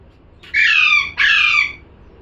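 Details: Parrot letting out a quick double squawk, two loud, grating, slightly descending cries back to back.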